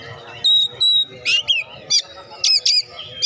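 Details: Oriental magpie-robin heard as a prompt for lazy birds to sing: clear steady whistled tones, then harsh buzzy squawks and scratchy paired bursts, mixed with curling whistles.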